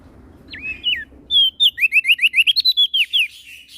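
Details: Prinia (prenjak daun) from Lombok in NTB: a couple of looping whistles, then a rapid, even series of about fifteen bright rising whistles. Soft low background hum throughout.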